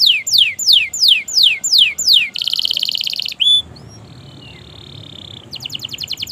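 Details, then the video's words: Long gacor canary song meant to coax stuck or young canaries into singing: rapid high descending whistles, then a buzzy sustained rattle, a brief clipped note, a quiet pause and a renewed fast high trill. "Masteran suara Burung Kenari Gacor Panjang Auto Nyaut Kenari Macet dan Paud"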